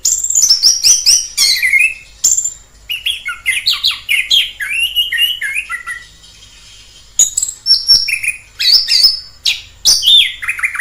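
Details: Orange-headed thrush singing wild: a fast scratchy and whistled outpouring, a quiet pause of about four seconds, then more bright falling and rising whistled phrases.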